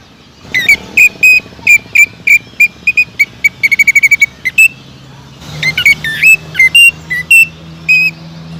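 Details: Cucak ijo, the greater green leafbird, in a fiery burst of song meant to lure other leafbirds: a long string of piercing whistled notes, one rapid stuttering trill mid-run, then varied slurred whistles.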